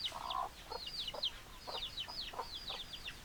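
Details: Chicken flock: a short lower cry opens, then a run of thin, high, downward-slurred peeps repeats rapidly, roughly three or four per second, over a quiet background.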